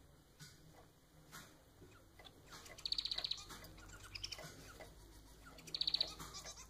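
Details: Society finch kept as a pet, called manon, giving two short buzzy rattling phrases of rapid pulses about three seconds apart, with soft clicks and a steady high whine behind.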